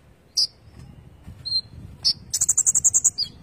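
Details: Van Hasselt's sunbird (konin) with gacor isian song: a few separate high chips and a thin whistle, then a fast, dry buzzing trill ending in a slurred note.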